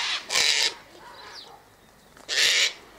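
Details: Sulphur-crested cockatoo from a flock eating seed tossed out near a gate; two loud, harsh screeches about two seconds apart with a faint call between.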